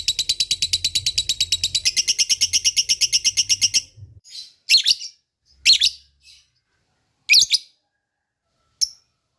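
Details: Lovebird lure meant to set other lovebirds calling in reply: a fast pulsed high trill for about four seconds, then scattered harsh chirps and squeaks with pauses between.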